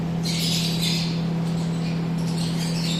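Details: Yellow-collared lovebird, a captive bird offered for sale, giving shrill, harsh squawking bursts high in pitch, several overlapping in quick succession, above a loud steady low electrical hum throughout.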